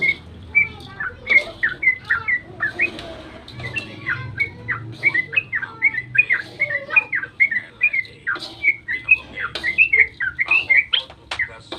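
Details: Extended dawn song of yellow-vented bulbul, used to stir other bulbuls into singing: steady stream of clear slurred whistled notes with a few sharper clicks.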